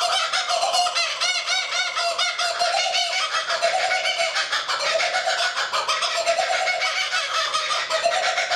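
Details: Two laughing kookaburras calling loudly together, a dense overlapping chorus of harsh, rolling cackles and chuckling notes that repeat without pause throughout.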